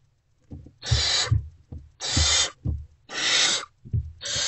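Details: Great horned owl chicks, not yet fed, in a nest box at about 5:30 am on 3 March 2024, reacting to the adult arriving: long noisy screeching hisses near once a second, with low thuds between them.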